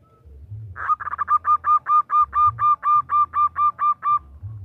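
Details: Calling to a male, a female zebra dove (perkutut) begins with a buzzy note, then gives a steady run of about fifteen short, hollow coo notes, a little over two per second.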